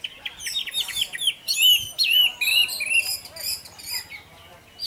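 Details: Orange-headed thrush (anis merah) song meant to get other thrushes singing: dense, varied warbling with repeated slurred whistles and chattering notes, busiest in the middle, fading at the close.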